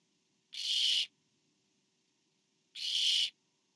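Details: Barn owl nest camera, 24 September 2015, parent delivering food to owlet number four: a pair of noisy, breathy screeches about half a second each, spaced over two seconds apart.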